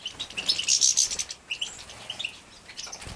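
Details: Captive-bred young European goldfinches at feeding time, Poland, 2017: a fast, irregular run of thin, high chirps and squeaky twitters, some louder bursts near the start, with faint wing flutters.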